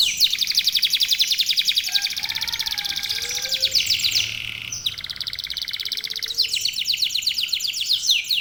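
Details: Several local canaries in full song: dense, fast buzzy rolls at high pitch broken by short pauses, with faint lower sliding whistles underneath.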